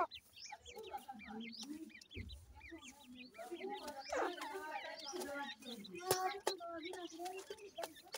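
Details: New francolin (teetar) babies with the adult bird, peeping in rapid, falling, high-pitched notes, with a burst of busier chatter midway, scattered sharp clicks and a faint human voice.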